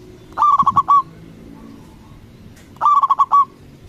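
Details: Local zebra dove with a strong voice, used to provoke rival doves: two fast, stuttering coo phrases of about six notes each, roughly two seconds apart, with faint background noise.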